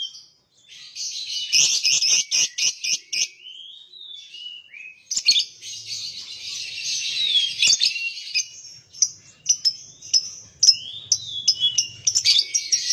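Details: Lovebird singing in long bursts of shrill, buzzy chatter, broken by short rising whistles and rapid clicking chirps, with brief pauses between phrases.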